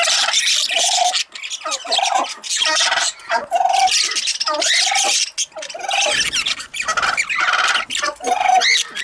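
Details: Young budgerigar giving dense, scratchy warbled chatter with harsh buzzy notes and squeaks, nearly unbroken.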